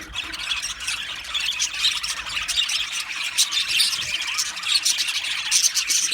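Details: Australian budgies in an aviary colony chattering densely: high, buzzy warbling and squeaky chirps blend into a continuous flock murmur.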